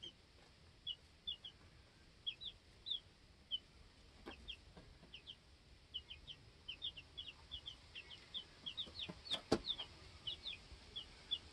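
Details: Two-week-old baby chicks on a homestead, back to normal after being on guard in the coop corner; soft repeated high peeps scattered throughout, with a couple of sharp clicks near the end.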